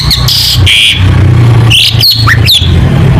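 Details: Long-tailed shrike in full contest-style song with lavish mimicry phrases: sharp high whistled notes and short down-slurred chirps, some rising at the end, over a steady low rumbling hum.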